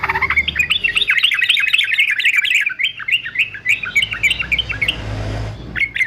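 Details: Caged fighter male yellow-vented bulbul delivers a long, lively, jumbled chattering song of rapid slurred notes for about five seconds, briefly pauses, then resumes with a few more chirps.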